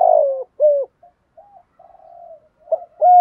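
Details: Spotted dove lure cooing, performed by male and female birds to make wild males call. A loud falling coo and a short hoarse note are followed by soft purring murmurs, then abrupt clipped coos closing the clip.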